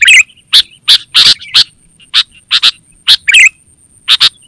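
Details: Sooty-headed bulbul call used for luring wild birds and training caged ones: a bubbly warbled opening, then scattered harsh chattering notes, another liquid burst midway, and a faint continuous high whine.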